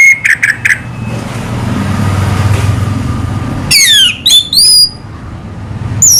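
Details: Orange-headed thrush singing slowly: a few short clicks and whistles, a lull with low background rumble, then steeply falling thin whistles and high piping notes.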